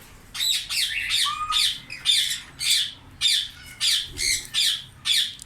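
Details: Indian ringneck parrots in a colony during summer, giving loud harsh squawks in quick irregular bursts, about ten shrill screeches over a few seconds from several birds.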